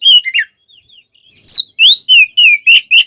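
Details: White-rumped shama song for provoking other shamas into singing: a few whistled notes, a short pause, then six loud clear slurred whistles in quick, even succession, some rising, some falling.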